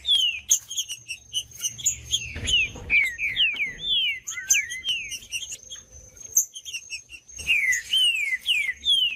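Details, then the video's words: Trinca-ferro, the green-winged saltator, singing to heat up a silent bird: continuous stream of loud, down-slurred whistled notes, one rising swoop midway, a brief pause, then another fast burst, with high chirps and a steady thin tone. "ESQUENTAR TRINCA FERRO FRIO COM TRINCA FERRO CANTANDO"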